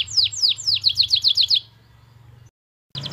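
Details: Canary singing in the vigorous 'gacor' manner with a 'cengkok mewah' (luxurious phrasing) style: a run of about ten bright, downward-sweeping notes that speed up over one and a half seconds, a pause, then more quick notes, over a low hum.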